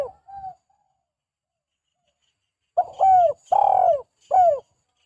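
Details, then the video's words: Spotted dove (derkuku) lure call: a faint soft coo, a pause of two seconds, then three strong, hollow coos in quick succession, each sliding downward. "Tekukur gacor, Derkuku Gacor, Burung Balam Gacor, Pancingan tekukur"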